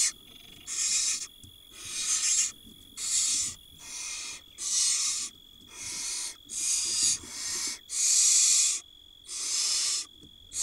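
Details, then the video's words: Barn owl chicks, watched by a camera in Israel in 2022, keep up a steady run of loud snoring hisses while their mother feeds them. There are about ten hoarse bursts, each lasting under a second, separated by short pauses. "Barn Owl tiny nestling swallows mouse while other get fed by their Mom."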